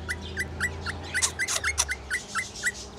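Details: Rainbow lorikeet singing, described as in love: short hooked whistled notes repeated about four times a second, mixed with harsh broadband chatter and a low background hum.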